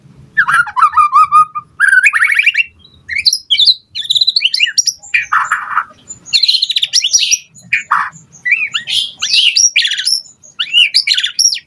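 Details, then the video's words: White-rumped shama singing to provoke other birds to respond: dense bursts of rattling notes, sweeping whistles and harsh chatter, delivered in closely spaced phrases. "Pancingan Murai Batu Gacor Cepat RESPON Langsung NYAUT Auto BONGKAR Buat Masteran Suara Burung Murai"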